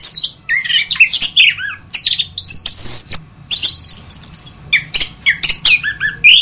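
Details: Orange-headed thrush delivering a rapid, richly varied song of high whistles, harsh squeaky notes and quick slurred phrases, packed tightly with short pauses, with a faint low hum underneath.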